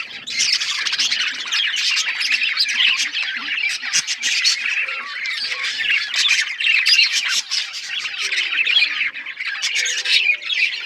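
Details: Flock of budgies chattering and chirping nonstop, a thick mix of scratchy squawks, quick warbled notes and sharp chips layered over each other throughout.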